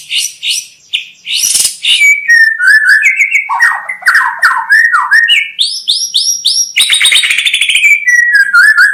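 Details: Loud white-rumped shama song for bird-luring: harsh high chatter, then slurred whistles, rapid rolling trills and a run of sharp rising notes, delivered almost without pause.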